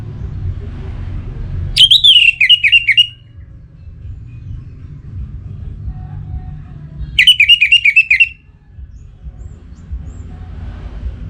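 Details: Singing to provoke a rival, a kept orange-headed thrush from North Bali in breeding condition gives two short loud phrases of fast wavering whistles, roughly five seconds apart, with steady low background rumble.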